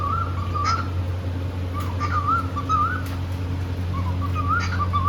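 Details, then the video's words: Pet cockatiel singing happily in India: gentle wobbling whistles repeated in short bursts, each a looping rise and fall, over a continuous low hum. "Happy cockateil bird singing and playing"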